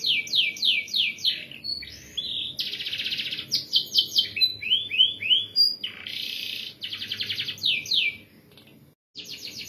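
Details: A canary sings in the tight rolling ngerol rapat style, used as a master tutor recording: dense buzzy rolls, quick runs of descending notes and bright sweeping whistles, broken by a brief pause near the end.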